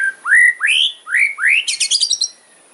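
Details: Hard-driving 'kretekan' fighter song of a white-rumped shama: four loud upslurred whistles rising in pitch, each clearly separated, ending in a dense, very high, buzzy chattering rattle about half a second long.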